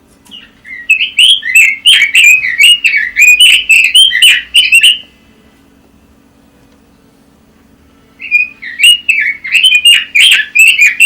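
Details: Red-billed leiothrix singing long, loud runs of fast warbling whistles with sharp high overtones, two bursts split by a three-second gap, over a steady low hum.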